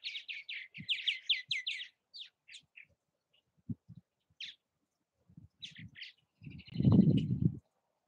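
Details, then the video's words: Purple martins at nest houses in Southwest Missouri: a quick series of repeated chirps, then scattered single notes and a final short chatter, with knocking sounds and a brief low rumble of noise near the end. "Purple Martin activity at bird houses."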